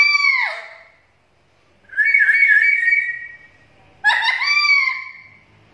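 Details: Black-capped lory, used as a lure and training recording for lories: loud clear whistles, the first falling and sliding down, the second a long level whistle, the third with a sharp rising start, spaced about two seconds apart.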